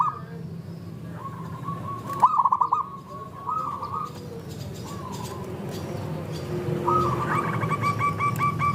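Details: Several local zebra doves recorded as a lure to set other doves singing: overlapping drawn and pulsed coos, one louder stuttered burst, over a noisy rumbling background.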